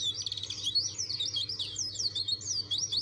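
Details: White-eye of the dakun type, challenging rivals with nonstop song: quick, high, rolling twitter of wavy repeated notes, clear and close, over a low steady hum.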